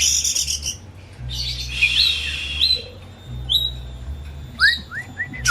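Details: White-rumped shama kept as a home pet, singing as a lure for a reluctant shama: a harsh buzzy burst, a few clear whistled notes, then a run of short falling whistles near the end, over low hum.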